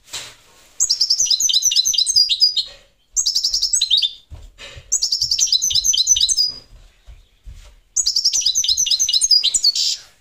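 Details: European goldfinch of the parva form singing rapid, high twittering phrases of buzzy, tinkling notes, delivered in bursts of about two seconds separated by short pauses, with faint low clicks in between.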